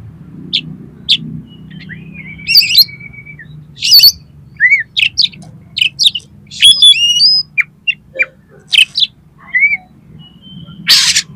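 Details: Oriental magpie-robin (kacer) song used to make another kacer sing and spread its tail: scattered sharp whistles and chirps, some drawn-out flat notes, rising slurs and a short harsh burst near the end, with pauses between phrases.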